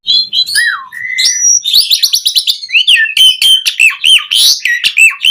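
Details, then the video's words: Asian pied starling singing as training material for caged birds, mixing falling whistles, a level whistled note, then a rapid buzzy rattle and repeated rising-falling whistled notes several times per second. "Masteran Jalak Suren Gacor Full Isian JITU Buat Pancingan Kicau Burung Jalak Agar Cepat Bunyi Mewah"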